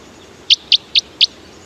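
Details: Red Crossbill (Loxia curvirostra), type 4, a Douglas-fir specialist, gives four sharp, high plinking flight calls about a quarter-second apart; this distinctive call is V-shaped on a spectrogram. Faint hiss in the background.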